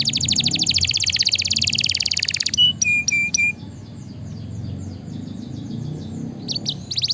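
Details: Lively canary song used as a master and stimulation recording for lazy canaries: a fast buzzy trill of rapid repeated notes, then several clear whistled notes at steady pitch, followed by quieter twittering and a soft low hum underneath.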